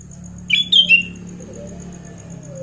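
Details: Sooty-headed bulbul, played as therapy for a bird that has gone quiet: one quick phrase of three or four bright notes, dropping slightly at the end, then near silence apart from a faint low hum and thin high tone.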